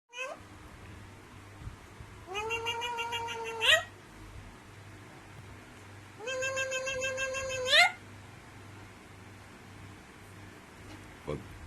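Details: Alexandrine parakeet imitating a cat's voice indoors: two drawn-out, meow-like nasal calls, each about a second and a half long, that hold steady and then rise sharply at the end. A low steady hum sits underneath.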